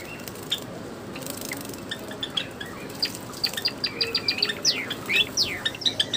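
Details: Java sparrows in an aviary at bathing time give a lively run of short, sharp chirps and chipping notes. The chirps start sparse and become rapid and overlapping toward the end, over a soft background hiss.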